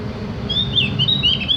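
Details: Javan grey-throated white-eye, known as cak gentong, used for song-training other birds: a brief run of thin, high whistled chirps rising and falling quickly, with a constant low rumbling background.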